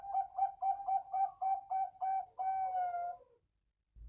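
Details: Male zebra dove of the Bangkok perkutut line, captive on a bird farm in Bantul Regency: a quick series of about nine short mellow coos, evenly spaced, ending in one long drawn-out cooing note that fades away.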